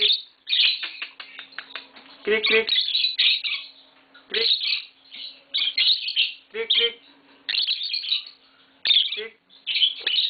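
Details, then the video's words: Green Fischer's lovebirds, a pair, keep up a busy stream of harsh, high-pitched chirps and squeaks in clustered bursts, some notes ringing with a buzzy edge, over roughly ten seconds. "Lovebird Singing & Chirping Sounds - Green Fischer Pair"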